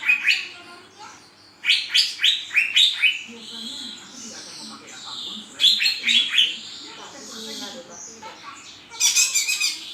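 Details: Cucak ijo, a green leafbird, singing in bursts of bright, high chirps and rapid slurred phrases, with quiet pauses between loud outbursts and a faint low hum underneath.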